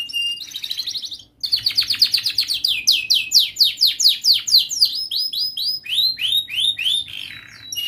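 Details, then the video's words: Young canary practising its song phrases, meant to teach young canaries: after a short pause, a long rapid trill of swept notes, quick and loud, slowing into separate rising chirps near the end. "Masteran Kenari gacor Muda belajar NATA LAGU, paling Pandai utk pancingan kenari paud belajar bunyi"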